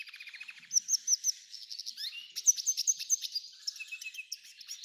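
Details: F1 hybrid goldfinch song: bright, sharp chirps repeated in quick groups, mixed with sliding whistled notes and lower twitters, all high-pitched and lively.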